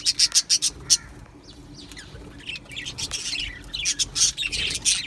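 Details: Aviary flock of Australian budgies: a quick run of bright, sharp chirps, then a softer chattering lull, building again to scratchy, overlapping warbles toward the end. A faint steady hum runs throughout.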